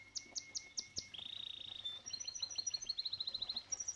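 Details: Canary singing by a koi pond: clipped high notes, a flat whistle, a fast buzzy trill, then ringing repeated phrases rising and falling, fairly clear above faint low water noise.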